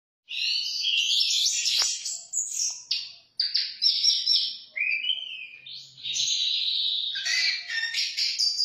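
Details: Orange-headed thrush singing in the 'teler' style: a long, varied, rapid stream of high warbled and whistled phrases with brief pauses, some notes sliding down and others buzzy.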